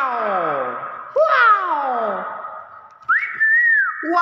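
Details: A clever hill myna makes voice-like descending sweeps, then after a pause a bright whistle that rises and arches downward, with a constant tone behind.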